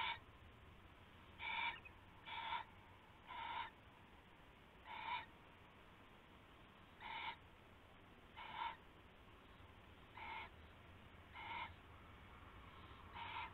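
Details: Nighttime owl calls on 19 February 2016 before dawn during a rabbit prey handover; nine brief hoarse notes with bright overtones, spaced irregularly one to two seconds apart, over a constant low background hum.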